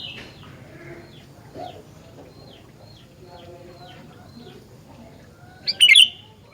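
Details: Faint chirps and low background murmuring, then a Sooty-headed bulbul bursts in near the end with a loud, quick phrase of liquid, chattering whistles.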